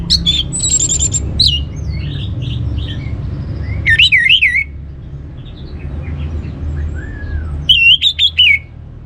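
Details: Orange-headed thrush song played to excite other birds into song: loud trilled buzzes, wavering whistles and sharp chirp bursts alternate with softer slurred notes, above a low steady background hum.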